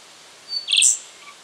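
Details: Rufous songlark recorded in Victoria, Australia, in September 2011: a single bright, explosive high phrase opening with a thin whistle and swelling into a loud ringing chirp.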